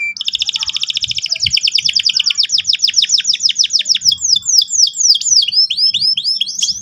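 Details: Canary in full song, played to prompt young birds to roll: one long rapid trill of high repeated syllables that slows steadily into separate looping, upward-curving chirps.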